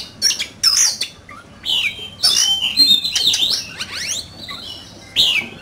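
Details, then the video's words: Competition-singing oriental magpie-robin with beautiful plumage, giving bursts of sharp high notes and twisting whistled slurs in separate phrases, with quiet gaps between them. "Chòe Than,Bộ Đẹp,Hót Đấu Căng Lửa."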